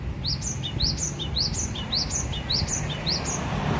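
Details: Gelatik batu, or cinereous tit, from Aceh, kept at home, in loud steady song: a clear whistled two-note phrase, high then lower, repeated about five times at an even pace, with faint low rumble behind.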